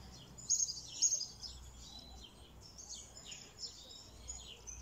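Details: Red siskin giving a continuous high twitter of chirps and slurred notes. Two strong bursts come early, then softer, rambling phrases follow over steady low background noise.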